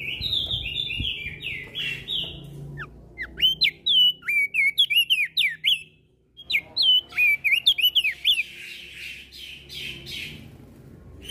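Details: Javan grey-throated white-eye in full ngeplong song, answering other birds. Buzzy falling notes open, then two long bursts of fast, piercing, swooping whistles separated by a brief silence, ending in a softer hissy chatter.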